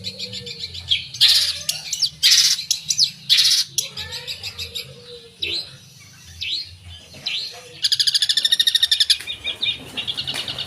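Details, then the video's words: Mimicry-rich song of a long-tailed shrike: loud scratchy bursts and sliding whistles, quieter chatter, then a fast metallic trill of rapid even high notes near the end. "Suara Burung Cendet Gacor full Isian"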